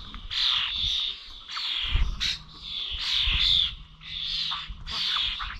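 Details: Starlings at bird feeders in Corby Old Village, recorded 21 November: continuous scratchy chatter of harsh buzzy notes with short clicks and squeaks, slightly uneven in rhythm, over a faint low hum.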